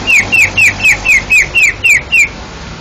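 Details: Greater green leafbird, first-place winner of a Banten, Indonesia singing competition, gives nine loud whistled notes, each sliding down slightly, evenly repeated about three per second.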